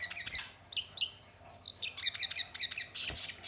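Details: Crested jay sound played as a lure to provoke other birds into singing: quick high chips and short slurred whistles, then a dense run of sharp repeated notes toward the end.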